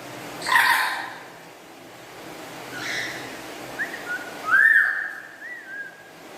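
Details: Black-capped lory, a kept pet bird, chattering: a loud rasping squawk and a softer one, then short whistled notes and a brighter upslurred whistle with small looping tones after.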